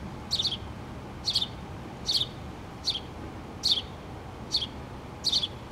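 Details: Mama house sparrow and her two babies nesting in a pole, 3 August 2017: bright, high chirps in short clusters, about one per second, fairly even rhythm, faint background rumble.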